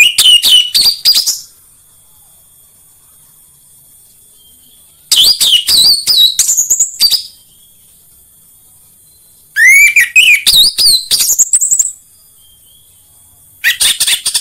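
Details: Orange-headed thrush singing as a lure to get other orange-headed thrushes singing: four separate bursts of rapid, varied whistled and chattering notes, several rising steeply, each under two seconds, with quiet gaps between.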